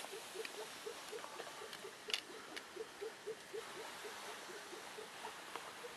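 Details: Newly arrived female Elliot's pheasant uttering soft, evenly spaced low clucks in a quick series, over a hissy background with an occasional sharp click.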